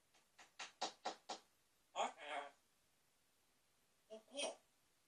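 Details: An African grey parrot (Psittacus erithacus), facing a mirror indoors, gives two short, throaty, speech-like utterances with a pause between them, after five quick knocks; the room is otherwise quiet.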